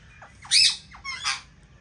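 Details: Pair of Indian ringneck parakeets in an aviary after finding a nest. Harsh, shrill squawks: a few short descending notes, then two loud rasping screeches about three quarters of a second apart.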